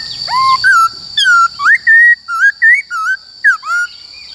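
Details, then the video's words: White-cheeked laughingthrush singing its forest voice, used to train wild-caught and young caged birds: a fast sequence of whistled phrases, short slurs alternately rising and falling, nearly continuous, over a constant high tone. "Khướu Bạc Má HÓt Giọng Rừng Bao Phê"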